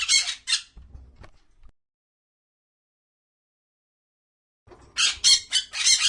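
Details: Wild parrots that travel in noisy flocks: a pair of harsh, broad squawks opens, followed by soft low rustles and three seconds of silence, then a burst of five loud, grating squawks in quick succession.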